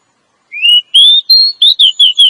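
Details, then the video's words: Female Oriental magpie-robin calling to attract a male, used to lure males for trapping in the forest: a rising whistle followed by five clear, slurred whistled notes, with a quiet background. "Suara Burung Kacer Betina Ampuh pikat Penjantannya"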